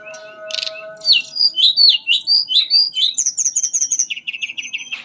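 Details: Fluting song of a mangrove blue flycatcher (tledekan bakau): a run of sweet slurred whistles, then fast repeated high notes and a trill, with a faint steady tone in the background at the start.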